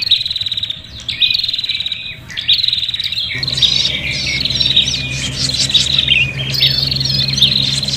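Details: Agitated, fighting prinia calls for luring birds: high trills begin sparse and quiet, then swell into busy overlapping chattering and buzzy notes, joined by a low hum partway through.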